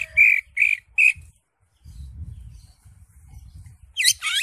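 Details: Greater green leafbird, crest raised in ngentrok, singing gacor full isian: three short whistled notes, a pause with low background rumble, then fast buzzy slurred notes resume.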